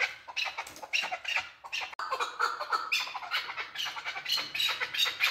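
A male chukar gives harsh, grating clucks in a fast, steady run, several notes each second, building into a dense, raspy chatter with no other sounds.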